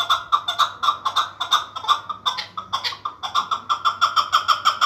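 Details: Loud, fast run of harsh repeated chuck notes from a chukar partridge kept for sale, roughly three a second, with a brief rougher break near the middle before the steady pattern resumes.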